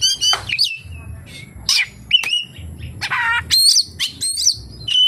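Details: Oriental magpie-robin song packed with kapas tembak fill-ins: quick varied phrases mixing sharp rising whistles, buzzy chatters and upswept notes in bursts roughly every half second, over a faint low hum.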